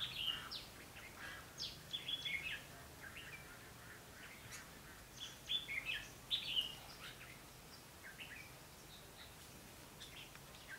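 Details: Decoy red-whiskered bulbul during trapping on 21 November 2016: scattered short bright whistles and chirps, some in quick pairs, fairly faint against steady hiss.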